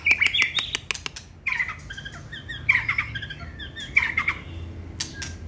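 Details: Caged white-rumped shama, a short-tailed competition singer held by hand, gives short harsh chattering bursts near three seconds apart, with sharp clicks and a quiet room behind.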